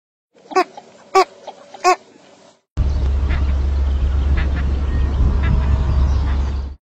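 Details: Three nasal, quacking nocturnal flight calls from a female Northern Shoveler, said to sound close to a Mallard, each brief and spaced about half a second apart, followed by a steady low rumble with faint distant calls.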